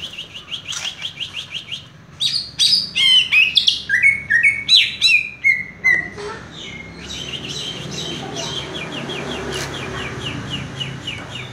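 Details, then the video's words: Greater green leafbird (cucak ijo), kept and described as a fast, tight singer: soft rhythmic high ticking, then a loud sequence of about a dozen clear whistled notes stepping downward, then a long fainter chattering run. "cucak ijo " raja tembak ""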